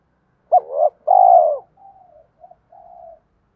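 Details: Fighting coo of a spotted dove used as a trapping lure: one loud phrase of a sharp upward note, a wavering hump and a long coo, then a series of soft, even, lower-volume coos trailing off.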